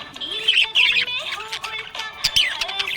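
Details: Budgerigar chirping happily: dense high warbling and chattering chirps with rapid squeaky notes, over a background of steady tonal musical lines.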